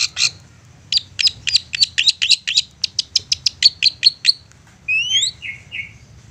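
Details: Long-tailed shrike singing an insistent provoking song meant to make other shrikes answer: a fast run of sharp high chattering notes, about four per second, then rising slurred whistles and short buzzy downslurs; faint low hum underneath.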